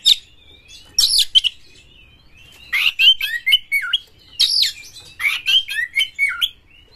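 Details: Excited champion Oriental magpie-robin singing with tail open, a recording to stir rival magpie-robins: sharp rising whistles and rasping bursts, followed by falling slurred whistled phrases repeated in quick succession.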